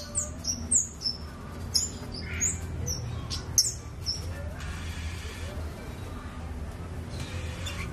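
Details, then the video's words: Scarlet-backed flowerpecker giving thin, very high, sharp ticking notes in quick bursts, a few each second, over a low hum with brief bursts of hiss. "BURUNG KEMADE GACOORR suaranya indah sekali"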